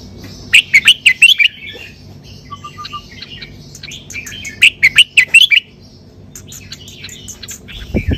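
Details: Red-whiskered bulbul, a cage bird, singing in the 'sai berl' style: two bright, quick phrases of five or six warbled, bouncing whistled notes, about four seconds apart, with a faint background hum between them.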